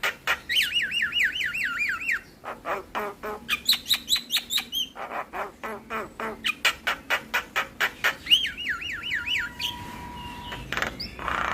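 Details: Javan myna singing a full-fill song used as a lure for quiet mynas: rapid wavering whistled trills alternate with long runs of evenly spaced harsh clicks and chatters, and a steady thin tone near the end.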